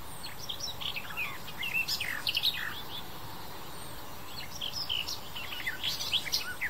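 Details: Garden warbler (Sylvia borin) singing on 28 May 2021 in Landkreis Kitzingen, Lower Franconia, in semi-open countryside with dense shrubs; rapid, varied warbling phrases of short chirps and whistles in two bursts over a soft steady background hiss.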